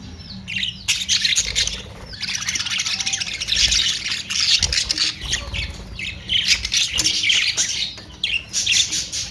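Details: Continuous budgerigar chatter: scratchy, buzzy warbling from several birds overlapping, rising to loud bursts of squawks and briefly dipping between them.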